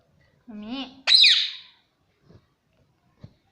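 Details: Pet Indian ringneck parakeet kept indoors as a talking parrot: a short voice-like phrase with stacked wavering tones, then a loud, harsh, high squawk sliding downward, followed by faint small knocks in a quiet room.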